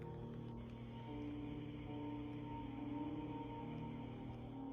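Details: Low, sustained ambient music with droning tones and no animal sounds.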